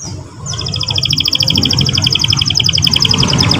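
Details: Song of a young canary, played to stir a young bird to sing along: a sustained, fast, high trill of repeated notes running steadily through the clip above a steady low hum.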